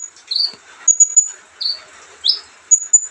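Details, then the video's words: Olive-backed sunbird singing softly. Its sharp, high-pitched notes include brief level whistles and a few falling, slurred chirps, spaced irregularly with short pauses between them. "kicauan santai Kolibri ninja"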